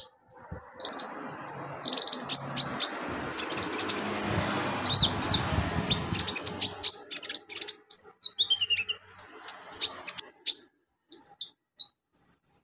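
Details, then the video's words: Olive-backed sunbird singing on a training track for novice birds: a long string of sharp, very high chirps and tinkling notes, some sliding downward, over broad rushing background noise that fades midway. "MASTERAN KONIN/KOLIBRI NINJA buat konin pemula cepat gacor"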